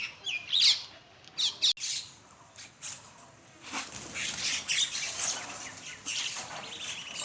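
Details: Flock of common mynas at a morning feed in Bangladesh: a few harsh, scratchy squawks in short bursts early on, wingbeats, then a steady wash of overlapping high chatter.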